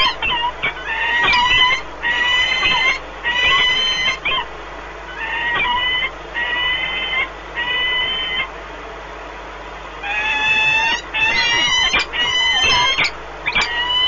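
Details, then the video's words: Peregrine falcons at the Orlen Płock nest in Poland on 1 March 2019, a long bonding meeting of the pair; repeated harmonic wailing calls in groups, roughly fifty a minute, rising and falling. "Sokoły wędrowne Orlen Płock (PL) - 2019.03.01 - Długie spotkanie, wiązania"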